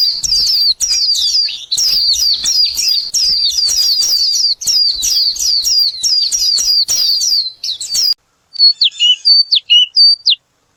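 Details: Purple sunbird with purple-blue plumage: rapid runs of high, thin, sharp chirps repeated almost without pause for about eight seconds, then a few faint, scattered high notes after a sudden drop to quiet.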